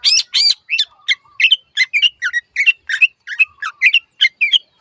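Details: A long-tailed shrike (pendet) sings a varied gacor phrase: two loud harsh squawks open, followed by a steady string of short, rough chirps and chattering notes, each slightly different.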